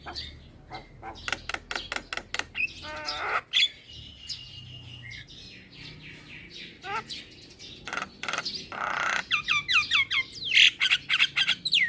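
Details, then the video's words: Black-winged myna, a young male in lively song meant for tutoring and calming stressed birds: dense rapid clicks, harsh rasps and descending whistled slurs, ending in a loud burst of repeated ringing notes. "Jalak Kebo Jantan Muda Gacor PAs Buat Masteran dan terapi Burung Jalak Stres"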